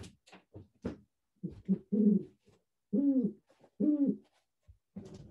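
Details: A captive Great Horned Owl, very chatty during an indoor wildlife presentation, gives three deep, soft hoots about a second apart, each briefly rising then falling, amid indoor shuffling and clicks.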